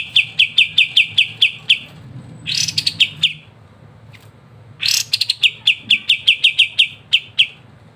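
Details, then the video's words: Kapas tembak singing in a lively, crisp ngebren style, used as master song for training songbirds: rapid runs of sharp chirps repeated about four per second, broken by two brief buzzy bursts and a quiet pause. "KAPAS TEMBAK GACOR NGEBREN RENYAH‼️MASTERAN GACOAN"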